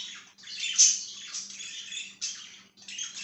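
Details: Pet budgerigar chirping indoors: busy, scratchy warbled chatter in bursts with short pauses, a sharp squeaky peak near the start, and a low steady electrical hum underneath.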